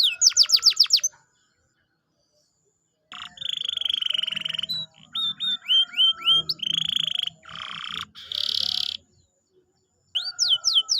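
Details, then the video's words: Canary song played to encourage a reluctant canary: quick sweeps, a pause, then buzzy rolls and sweeping whistles with gaps, ending in fast rising notes. "pancingan kenari malas bunyi/agar gacor lagi"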